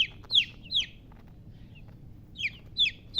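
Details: Baby chicks calling: three bright, downward-slurred peeps, a pause of over a second, then three more, clear and high-pitched over near silence.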